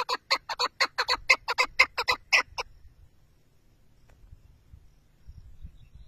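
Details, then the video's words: About a dozen grating chuck notes from a chukar partridge in quick succession, slightly uneven in loudness, ending abruptly and followed by quiet low-level background noise. "keklik sesi,av kekliği,chakour birds sound"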